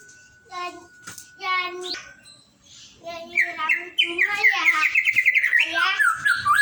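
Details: White-rumped shama sings a rich, fast run of clear whistled notes and trills in the second half, rising and falling in pitch; a steady humming human-like voice precedes it at the start.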